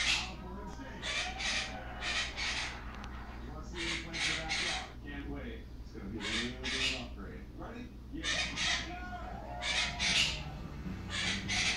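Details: Pet monk (Quaker) parakeet, alone and unaware of being filmed, chatters in harsh, raspy squawks mixed with speech-like mimicked phrases, trying to sing a song taught by its owner.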